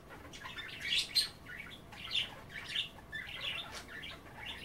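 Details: Budgerigars at bath time nibbling wet kale, giving a quiet, continuous warbling chatter with small bright chirps about every half second to second, fairly faint against a soft room hiss.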